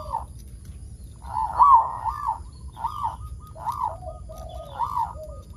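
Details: Local zebra dove in full voice, used to prompt other zebra doves to sing: a rhythmic series of rounded, arching cooing notes, about one per second, over a steady low background hum.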